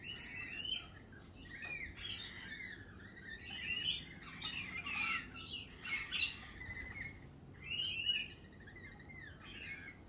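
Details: A lively spring chorus of lorikeets, harsh metallic screeches and squeaky chatter coming in rapid repeated bursts over ten seconds, several birds calling at once.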